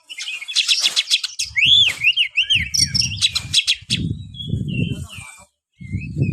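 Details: Oriental magpie-robin (kacer) song for rousing reluctant kacer: dense scratchy rattles and rising-falling whistled loops early on, later a few clear slurred whistles, all over prominent low rumbling knocks and bumps.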